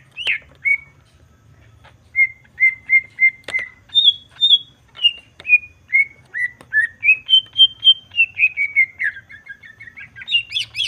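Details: Provocation song of a Greater green leafbird: after two opening chirps, a long run of clean short whistles, level at first then stepping higher and lower, one every half second, ending in a jumbled burst.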